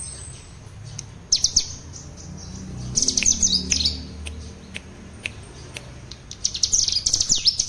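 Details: Spotted mutant common tailorbird practising 'ngebren' song as a tutor for other birds: several bursts of rapid, very high, scratchy chattering notes separated by short pauses, with some low background rumble.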